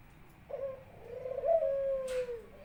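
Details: Barbary dove kept as a pet in Indonesia, in full song while greeting its owner home from work. One coo: an abrupt short opening note sliding into a long, throaty, rolling tone that tapers downward, with a brief rustle near the end.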